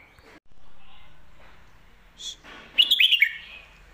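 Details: Red-whiskered bulbul bred for song contests, switching between lak wai and mae bot styles; a soft note and a short rising chirp lead into a loud, quick four-note warbled phrase falling in pitch, over a faint background hiss.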